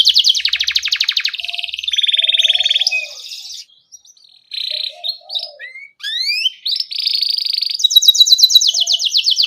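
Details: Vocal canary singing a rolling 'ngerol' song meant to prompt young canaries to sing: rapid buzzy trills in several blocks, a quiet gap with soft notes, then quick rising slurs and renewed trilling.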